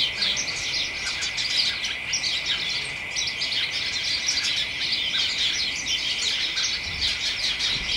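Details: A flock of house sparrows and other small birds in a garden hedge, early December, late afternoon, chattering excitedly. Busy, rapid chirps overlap without pause, with a constant thin whine running underneath.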